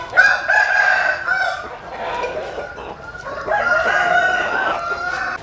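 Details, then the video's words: Roosters crowing at dawn while sunning in the morning: several long, harsh, rising-then-falling crows overlap, one after another, over a noisy rustling background. "Tiếng Gáy Lúc Tinh Sương. Gà Phơi Nắng Sáng"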